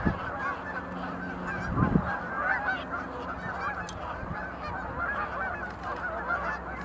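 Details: Several sandhill cranes making display leaps at the Montezuma National Wildlife Refuge visitor center in November 2020. Dense, overlapping rolling trumpeting calls run throughout, with a loud low thump near the two-second mark.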